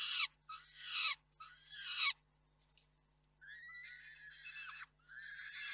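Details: Peregrine falcons at the Reda KOKSIK nest, 4 May 2023, while the male delivers prey and the female feeds it. Three short, loud, harsh cries are followed by a pause, then two longer, smoother whining calls over a low hum.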